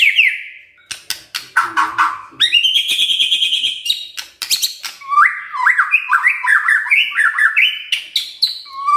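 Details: White-rumped shama kretekan song to stir up emotion: dense clicking rattles and harsh chattering, then a steady buzzy trill, ending in quick stepped whistled phrases climbing in pitch.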